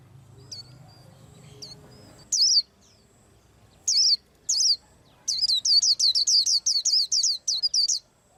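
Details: Scattered high chirps from a white-eye preparing to moult build into a rapid, even series of sweet twittering notes. Low background noise can be heard at the start.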